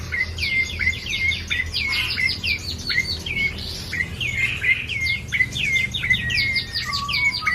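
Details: Caged bar-winged prinia in full lively song: sharp, clipped notes that sweep down then flick up, repeated over and over at a fast pace, ending with a couple of lower flat whistles.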